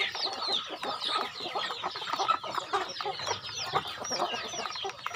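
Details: Chickens on a rural farm while being fed: a dense, continuous chorus of overlapping clucks and short high peeping notes from many birds, with no pauses.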